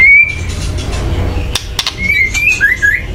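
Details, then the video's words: Agitated white-rumped shama call played to stir birds into song: a steady whistled note opens, then sharp clicks, then a rising, warbling whistled phrase near the end. "kretekan keras murai / menaikan emosi agar bunyi"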